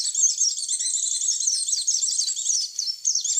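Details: White-eye lure recording: dense, rapid high twittering of quick rising and falling chirps, running almost without pause, with a brief dip near the end.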